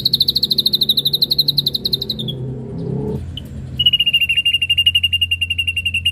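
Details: Ashy drongo singing on a lure track full of inserted phrases. A fast, piercing trill of clipped notes runs for two seconds and breaks off. After a brief gap a slightly lower, steady rapid trill returns and continues to the end.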